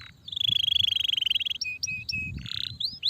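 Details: Kenari starblue, a canary kept for song training, delivers a rapid rattling trill followed by short flat whistles and upward slurred notes, with faint low background rumble.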